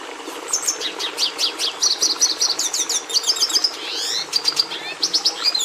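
Red siskin singing a fast, twittering run of high chirps and buzzy trills, with rising and falling sweeps mixed in, delivered almost without pause.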